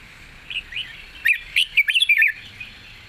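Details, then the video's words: Red-whiskered bulbul delivering a long, gentle wild-style song with chatter notes: faint warbles first, then a quick burst of loud, bright, twisting whistled phrases, a final soft note. "เพลงยาว ปากเบา ร้อง+ริก /สำนวนป่าๆ #นกกรงหัวจุก"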